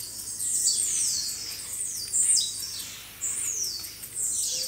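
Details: Busy chorus of blue-black grassquits in a natural aviary at the zoo in São Carlos, São Paulo, Brazil. Sharp, very high chirps sweep downward in tangled clusters, rising and easing in loudness every second or two.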